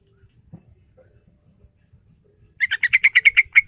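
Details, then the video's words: Yellow-vented bulbul song for luring a young bird to sing: after a second of near silence with soft clicks, a quick run of about ten bright, chattering notes fills the final second. "Panggilan Tercepat Buat Burung TRUCUKAN Muda"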